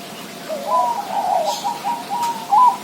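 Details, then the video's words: Zebra dove singing a continuous run of soft, rapidly repeated cooing and trilling notes that ends in a louder, slightly higher coo. "suara perkutut"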